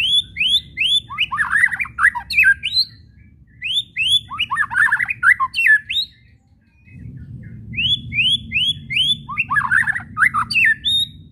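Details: Shama (White-rumped) whistles and kretekan, used to provoke singing: three bursts, each opening with four or five quick rising whistles followed by tangled harsh chattering, a silent gap near 6–7 seconds, then low hum resumes.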